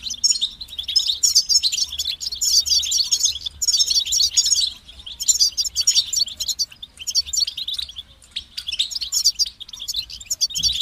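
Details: Goldfinch singing as a kept songbird, a long sequence of rapid, bright twittering phrases with liquid trills, each phrase stopping before the next begins, low hum underneath.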